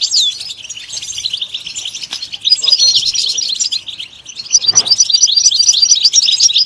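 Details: European goldfinch in fast, liquid twittering song of bright chirps and jangling trills, softer in the middle then swelling again, with a brief low thump partway through.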